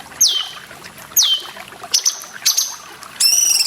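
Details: Grey-cheeked bulbul song for cage-bird training: two long whistles falling steeply from very high pitch, then short high notes and a harsh buzzy stacked call, with water splashing behind.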